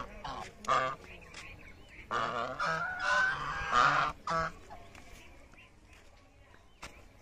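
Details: Greylag geese in a field in Bangladesh, walking about; a rapid cluster of loud, nasal, trumpeting honks between two and four and a half seconds, preceded by a single honk, then fading to quiet with faint background sounds.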